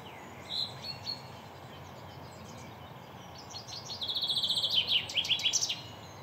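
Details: Male chaffinch gives two sharp chirps, then after a pause a full song: about a dozen evenly spaced high notes falling in pitch and closing with a quick flourish, with low steady background noise.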